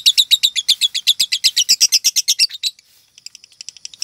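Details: Female lovebird showing signs of becoming 'konslet', the highest-ranked song class, her tune and style starting to shift; steady, rapid shrill chirping about four notes per second for over two seconds, ending in faint ticking.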